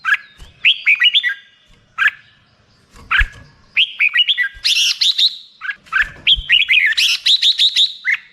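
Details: Lively Black-crested bulbul song: repeated phrases of bubbly, slurred chirps, with louder rapid trills of sharp notes recurring every few seconds.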